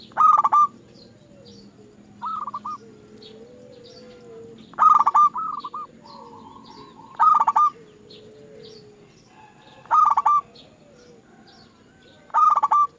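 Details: Zebra dove lure recording meant to get kept doves singing: five loud, clipped, stuttering coo phrases spread over thirteen seconds, with softer answering phrases from other doves and faint background chirps between them.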